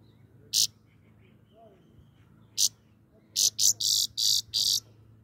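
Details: Grey-crowned goldfinch song of high, harsh buzzes: two isolated single notes separated by long gaps, then a rapid run of five buzzy bursts near the end, with faint low background hum.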